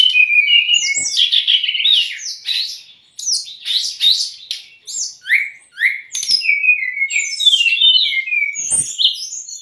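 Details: Brown-chested jungle flycatcher song used as training and lure audio for new or stressed captive birds: rapid, varied run of clear whistled notes, chirps and sharp slurs, dense for three seconds, then brief pauses between bursts of phrases.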